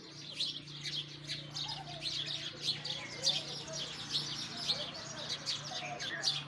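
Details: A flock of sparrows chatters busily, with rapid high chirps packed closely together and a soft low hum running throughout.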